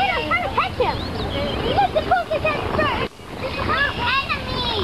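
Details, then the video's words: Wild geese at Dufferin Islands, Niagara Falls, giving many overlapping nasal honks and yelps from a busy flock, with water and background noise throughout and a brief drop in sound near the middle. "Husy / Geese"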